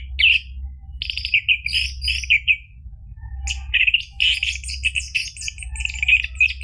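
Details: Lure recording of an orange-headed thrush in full ngeplong song, meant to prompt caged birds to answer: rich, rapid warbled phrases with buzzy trills and high twitters, one brief gap midway, over a low background hum.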